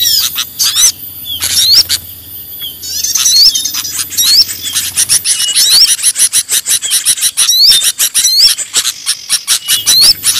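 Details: Lure sound for small birds: sharp rising whistles recur every second or so, first over sparse chatter, then among fast, rhythmic clicking and ticking notes that grow denser.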